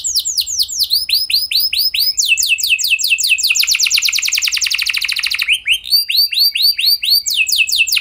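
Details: Canary delivering a lure song to spur other canaries into singing, series of curved whistled notes leading into a fast buzzing roll, then back to slower repeated slurred syllables.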